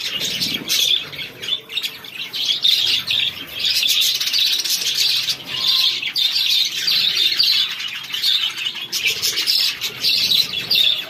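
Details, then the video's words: Feeding chicken chicks giving a steady, crowded chorus of shrill peeps, with calls layered without pause and short faint lower notes now and then. "Chicks feeding"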